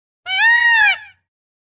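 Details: Indian peafowl, a peacock, recorded on a Canon EOS 3000D DSLR camera: a single loud, nasal, wailing cry lasting nearly a second, rich in harmonics, holding steady then sagging slightly at the end, in an otherwise quiet setting.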